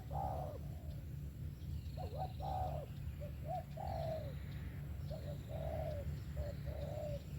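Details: Spotted dove giving its 'về tàng kèm 123' song, repeated short phrases of low, hollow coos, quick hooked notes alternating with longer falling ones, over heavy low rumble and faint high tones.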